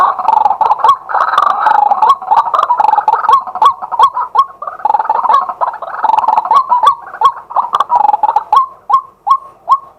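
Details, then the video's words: Daytime calling by a male White-breasted waterhen, captured live on a fixed camera: a loud, continuous jumble of harsh, gobbling croaks that thins near the end into evenly spaced, rising hooked notes. "เสียงนกกวัก ตัวผู้ ต่อกลางวัน"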